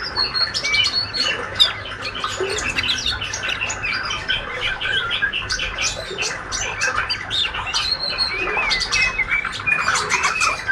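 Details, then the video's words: Young healthy male white-rumped shama, a caged fledgling described as active and keen to chirp, giving scratchy buzzy chirps and short rising squeaks in a busy cluster against steady low hum and background noise. "Murai trotol jantan rajin bunyi ngriwik"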